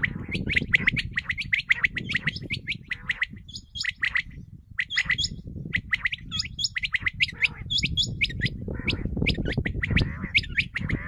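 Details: Common quail call used as a lure for hunting: dense bursts of short, sharp high chirps repeated rapidly throughout, several notes overlapping at times, over a steady low rumbling background noise.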